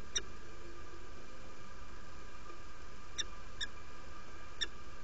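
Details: Peregrine falcon female arriving at her nest in Derby, UK, 17 February 2017 at 07:47, inviting: four brief, sharp, nasal notes, the middle two close together, over steady hum.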